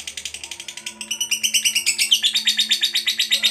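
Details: Lovebird, a 'fighter' in the Indonesian 'ngekek panjang' long-chatter style: a fast, unbroken run of shrill, harsh chattering notes, about seven per second, growing louder midway, over a faint steady low hum.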